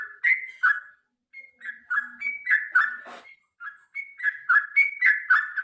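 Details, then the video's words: Sooty-headed bulbul in an extended fighting song to encourage birds to sing: a rapid, chattering flow of varied whistled notes, rising and falling, nearly continuous with one short pause. "suara trucukan gacor tarung ropel panjang"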